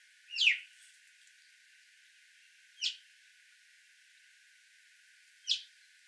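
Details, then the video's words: An Alpine chough calls three times, each a sharp descending whistled note, the first strongest, with gaps of roughly two and a half seconds between calls. "Alpine Choughs"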